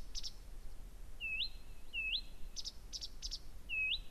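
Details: Blyth's reed warbler singing constantly and very loudly at night, 01:00 on 15 June 2014 at Gerå Engvej, Denmark; clear whistled notes rising sharply at the end, repeated about every second, between short high ticking clicks.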